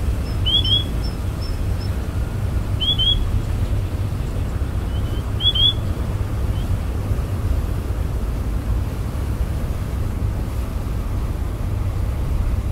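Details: Grey-tailed Tattler, a migrant wader from Siberia, on the intertidal mudflat at Burnett Heads Boat Harbour, Queensland, Australia, while dissecting a fiddler crab, gives a few short, high, upslurred whistles, often doubled, over a steady low traffic or wind rumble.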